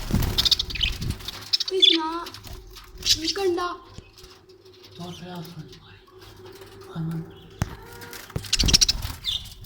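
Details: Budgerigars on 14 August 2020 chatter in quick, scratchy bursts mixed with bright chirps and short nasal warbles.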